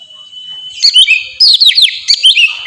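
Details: Oriental magpie-robin in ngeplong song for training kacer: a held thin whistle leads into quick bright slurred notes in several short bursts.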